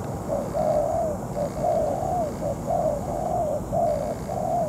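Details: Spotted dove kept as a trapping decoy while moulting, set on the ground to lure a wild bird: steady run of mellow low cooing notes, short and long phrases alternating roughly every second.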